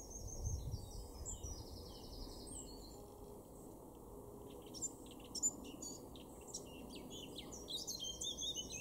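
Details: Male Eurasian blackcap in a garden at Weener, East Frisia, northwestern Germany, in April 2024: an opening burst of dense, rapid warbling, then sparser high chirps and short whistled notes over a low, steady background hum.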